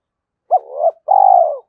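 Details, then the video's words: Caged decoy spotted dove giving a single coo phrase: a sharp short note, then a softer rising one, then a long even humming coo. The recording is otherwise quiet. "Chim Cu Mồi thúc và gáy gọi cực đỉnh, gáy gọi hai hậu"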